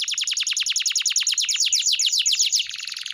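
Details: Canary singing a masteran, a training song for pet canaries: a fast, steady trill of sharply falling notes that speeds up and ends in a soft buzzy rattle.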